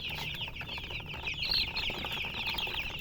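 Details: Chickens chirping: a dense, continuous chorus of high, quick chirps, overlapping and irregular, with faint low background rumble throughout.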